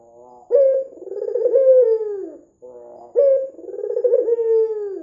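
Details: Two rolling coos from a white Barbary dove with red eyes, calling eagerly as a lure for other doves: each opens with a soft hum, jumps to a clear note, then rolls and slides downward, about two and a half seconds apart.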